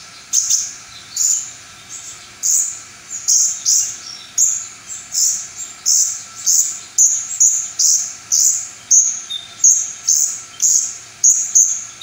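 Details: Brown-throated sunbird, called konin, in full song; high, sharp, chirping phrases repeated steadily about every 0.6 to 0.8 seconds, forming a long even series of bright notes.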